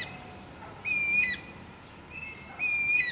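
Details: Guira cuckoo, a wild bird, calling twice about two seconds apart. Each call is a loud, bright, overtone-rich whistle lasting about half a second, the first dipping slightly at its end, over a faint background hiss.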